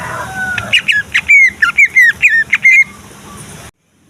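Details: Provocation song of a greater green leafbird, meant to stir rival leafbirds to sing and fight: about eight loud, clear whistled notes, each sliding downward, delivered quickly over two seconds after a faint lower whistle.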